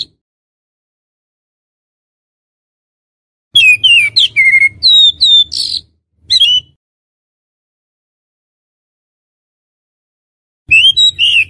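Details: Whistled lure call of an oriental magpie-robin, used to attract others in the wild: after a silent stretch comes a rapid, varied run of sharp chirps and slurred whistles, a brief note, and a final burst.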